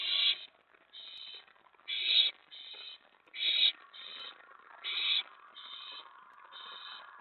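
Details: Owls at their nest in the early hours of 24 May 2017, as a mouse and a rat were brought in. Short paired hissing screeches come in a steady series, loud and soft in turn.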